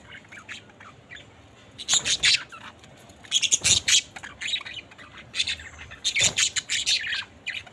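Budgerigars chatter in bursts of harsh, high squawks and rapid chirps, broken by short pauses.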